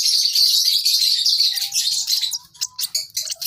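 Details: Young lovebird keeps up rapid, raspy high-pitched chirps, loud at first, then breaking into short separate bursts with a faint thin whistle beneath.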